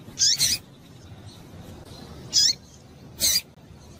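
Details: Female double-collared seedeater, whose call is meant to warm up males. A doubled high chip opens, followed by two more single sharp notes with falling tails, separated by quiet gaps.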